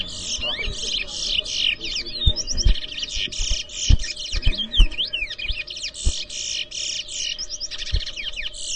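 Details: Towa towa song during an inter-zone whistling competition in New Amsterdam, Guyana: rapid, dense twittering and whistled notes, high and continuous, with sharp low thumps throughout and a counter calling out numbers.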